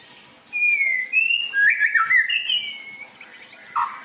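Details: White-rumped shama song used to lure other birds: clear whistled phrases, sliding and fluting, with a warbled middle section and a short lower note at the end.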